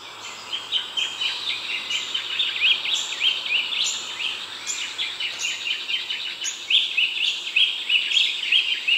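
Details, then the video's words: Eastern rosellas in the Darling Downs region, Queensland, above 500 m, give a steady stream of high, scratchy chattering and twittering notes, broken now and then by sharper piping calls. "Eastern Rosella"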